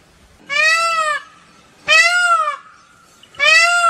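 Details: An Indian peafowl (peacock) gives three loud, nasal, wailing calls, each under a second and arched in pitch, spaced about one and a half seconds apart.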